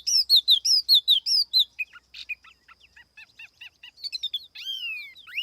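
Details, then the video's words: Tiểu mi laughingthrush lure recording without background noise: loud repeated arching whistles, then softer clipped chirps. It finishes with long, smoothly descending whistled slurs. "TIẾNG CHIM TIỂU MI MỒI KHÔNG TẠP ÂM CỰC CHUẨN"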